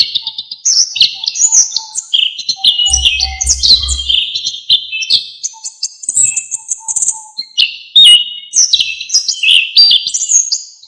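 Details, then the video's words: Orange-headed thrush in full, varied song, used as a training recording for songbirds. A dense, continuous stream of high, jumping whistles and chirps runs throughout, with brief low thumping near the third second. "KICAUAN ANIS KEMBANG GACOR FULL ISIAN"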